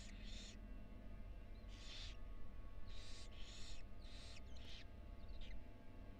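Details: Barn owl nest box at the University of Florida holding a female and four tiny nestlings. Rough hissing bursts sound in uneven clusters against a continuous low hum.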